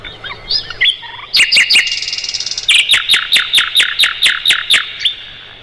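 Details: Mugimaki flycatcher song used to tutor songbirds: scattered notes, a buzzy trill, then a steady series of about a dozen sharp repeated chirps, roughly four per second.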